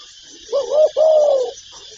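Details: Spotted dove calling: a short wavering coo followed straight away by a longer, steady, slightly falling coo, low and mellow, with faint hiss in the background.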